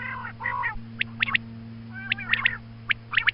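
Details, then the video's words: Female quail calling at morning, meant as a hunting call: a few drawn-out nasal, harmonic squawks, followed by sharp paired clicking notes repeated at short intervals, over a low steady hum. "Female Quail Calling Suba Lagty waqte Ki Awaz Female Batair Calling"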